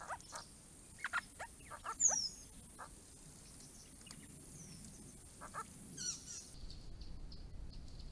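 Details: Grey-crowned babblers from a small group coming to a pond built for them on a property, giving a loose series of short chattering notes, with one high thin whistle near two seconds and quieter calls later.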